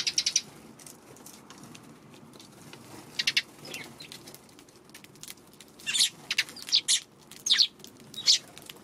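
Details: Eurasian tree sparrows at a feeding spot on an afternoon of March 16, wary of a Godzilla figure placed nearby; short bright chirps in scattered bursts, clustered around three and six to eight seconds, with faint rustling between.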